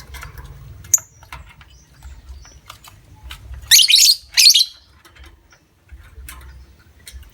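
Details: Lovebird ngekek played to provoke long trilling in other lovebirds: one sharp chirp, then two loud harsh buzzy bursts about half a second apart, with quiet gaps and faint low hum.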